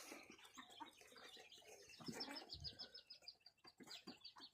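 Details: A quail, around the time of egg-laying, gives a quick run of thin, high chirps, about three per second, over steady rustling and scratching.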